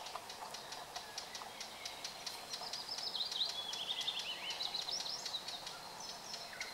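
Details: Red-backed shrike: a faint, fast, scratchy warble of high twittering notes running for a few seconds, set against steady background hiss and ticking from insects.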